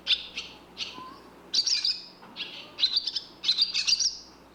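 Barn swallow giving bright, twittering chirps in short bursts, high-pitched and slightly buzzy, several notes clustered together with brief pauses between.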